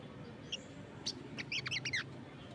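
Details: Crested jay in full voice with other birds answering: a few isolated high chips, then a quick cluster of sharp, bright, downslurred chirps over steady low background noise.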